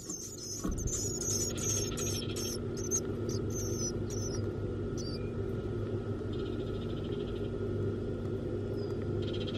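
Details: Nestling Black-capped Chickadees in a backyard nest box, fed by their two parents: thin, high notes in a rapid string over the first three seconds, then soft hissy bursts, over a steady low hum.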